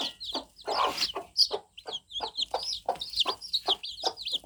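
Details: Young fluffy chicks, freshly hatched, peep in a busy overlapping chorus of piercing, short, bent whistles, mixed with scuffling and pecking-like taps.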